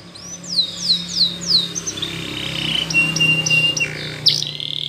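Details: Spanish Timbrado canary singing in the morning, a few descending whistled slurs followed by a level whistle and scattered notes, set against noticeable broadband background noise.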